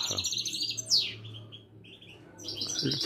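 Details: Moroccan Widani goldfinch twittering with a steep downslurred squeal, softer warbled notes, then renewed chatter, while a man talks in the background.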